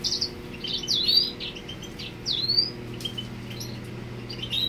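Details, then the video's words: Male grey singer singing to the female, giving scattered high chirps and two clear downslurred whistles in quick phrases, with a low steady hum in the background. "Macho de Cantor Africano ( Grey Singer) Cantandole a la Hembra"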